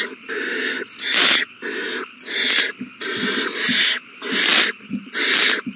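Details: Owl chicks at feeding time on March 27, 2020, all eating well after a big meal: harsh, hissing, broadband screeches in half-second bursts, repeated with short gaps, with some overlapping bursts from several chicks.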